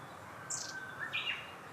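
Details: Black-faced bunting feeding intently in early April, photographed 2019-04-02: a few short high call notes, one thin high tick near half a second then two brief chips a moment later, over quiet rural background.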